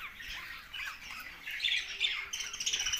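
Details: Budgerigars giving scratchy squawks and warbled chirps, rising in loudness, with a bright high buzzy note in the last second.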